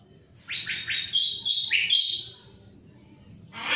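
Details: Orange-headed thrush singing actively: a run of loud whistled notes, each sliding sharply upward then held high, given in quick succession for about two seconds before quieter background.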